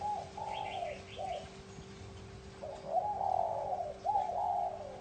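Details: Bronze-bell style cooing of a spotted dove, played to lure and stimulate males and females: a series of soft, gently falling coos, then louder rolling coos in quick succession over a faint steady electrical hum.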